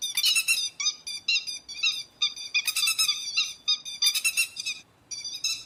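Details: Grey-headed lapwing calls meant to lure birds into nets at night: fast series of sharp, nasal notes, about three per second, grouped into louder bursts and short lulls.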